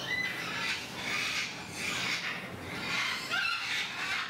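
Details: Sulphur-crested cockatoo giving harsh, raspy broadband screeches, about four drawn-out bursts in four seconds, each rising and fading, over a steady background hiss.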